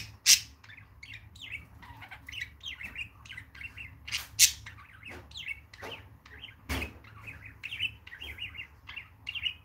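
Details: Pair of budgerigars, a male and his mother (a female), chatter with busy warbling twitters and short chirps around 2–4k, with a few sharp squawks and clicks breaking through.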